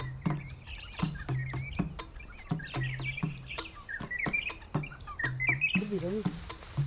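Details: In northern Kenya a honeyguide chatters to attract Boran tribesmen and lead them to a bees' nest: dry, rapid chattering notes in quick bursts, with sharp clicks and a low steady hum beneath.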